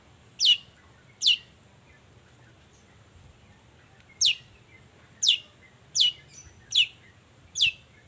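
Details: Morning Long-tailed shrike song used as a lure to get silent shrikes calling: high, thin, steeply falling whistles, given singly or in pairs with a long pause midway, over faint background hiss.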